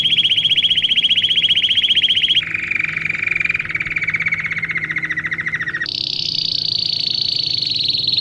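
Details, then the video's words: A domestic canary sings for training young birds. A high buzzy trill runs two seconds, drops to a lower rolling trill, then leaps to a very high smooth trill. "Canário Do Rei Canto Lindo Para Filhotes Em Treinamento"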